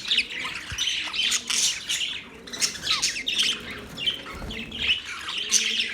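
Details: Budgies chattering with sharp squawks and short, rising squeaky chirps. Sparse moments alternate with busier clusters of notes, over a soft background rumble.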